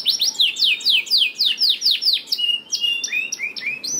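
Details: Canary song meant as a lure for lazy canaries: a regular run of loud down-slurred whistled notes about twice per second, then clear level whistles and short rising phrases.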